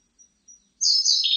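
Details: Siberian blue robin singing. Two faint high notes come first, then a loud, fast trill starts very high and steps downward in pitch, cut off at the end. The setting is otherwise quiet.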